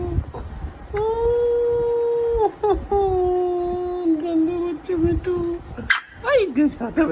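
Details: Pet grey parrot, eight months old, that imitates words, mobile ringtones and a doorbell, produces long steady whistled tones, then a lower sustained note and rapid wavering sounds, with room noise behind.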